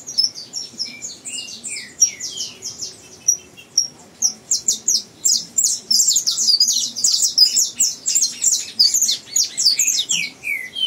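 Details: A young bred saffron finch learning to sing. Scattered high chirps and falling slurs build into a long, dense, loud stretch of rapid bright notes.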